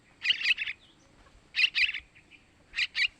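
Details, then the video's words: Yellow-vented bulbul chick begging calls for luring males: three harsh chirp groups, two of three rasping notes and a final pair, spaced over a second apart. "Suara Anakan Trucukan buat Pancingan burung Trucukan jantan"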